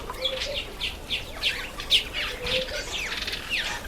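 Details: A small party of red-faced mousebirds at a birdbath gives a run of high, downward-sweeping whistles, about three per second, several birds overlapping, with a soft low note from another bird underneath.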